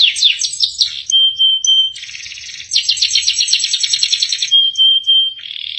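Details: Singing canary, full isian style: quick swooping notes, then a pure held whistle, a harsh buzzy stretch, a fast trilled roll and another long steady whistle before a buzzy ending.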